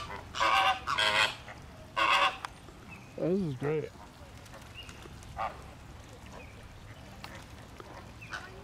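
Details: Caribbean or Greater Flamingos, a loud flock where fights break out, give three loud, harsh, goose-like honks in the first two seconds, then a lower nasal call; a person speaks quietly in the background.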